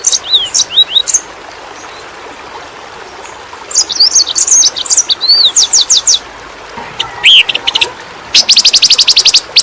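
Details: Yellow-rumped flowerpecker of Kalimantan, recorded as tutor song for pet birds: bursts of high, sharp ticks and slurred whistles, a quick run of rising notes near the middle, and a final rapid stuttering series of piercing clicks.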